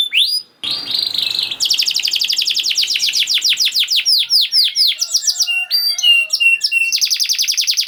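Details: Canary singing to coax quiet canaries into song, a rapid rolling series of sweeping whistled notes that speed into dense trills, followed by paired high chips and a buzzy rattle.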